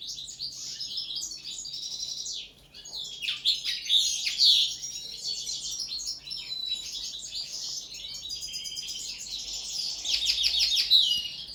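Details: Caged common linnet trained to sing on the table, an unbroken, varied warble of fast chirps, metallic trills and sliding notes, swelling in volume toward the end.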